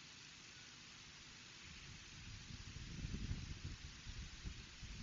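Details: Steady hiss of rain or wind with a low rumbling swell and no animal voice.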